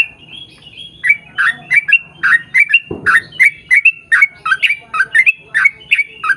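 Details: Long rapid 'ropel' song of a sooty-headed bulbul, played to draw others of its kind into singing. Quick chains of bubbly, slurred notes repeat several times a second, with a single low thump partway through.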